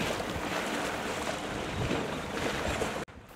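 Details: Gusty wind buffets the microphone on open marshland and then cuts off abruptly, with no animal call.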